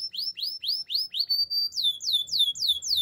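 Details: Canary singing a training song for other canaries: a string of clear, downward-sweeping whistled notes at about four per second, a short level tone, then a faster series of falling slurs.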